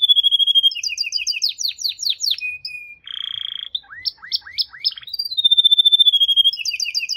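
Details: Varied canary song with high rolling trills, a short steady whistle, a buzzy trilled phrase, rising upslurred notes, and a long bright whistle leading into further fast trills.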